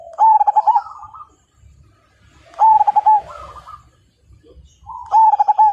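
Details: Singing zebra dove of the Majapahit perkutut line delivers three loud, beating coo phrases, each trailing into a quieter warble, over a faint low rumble.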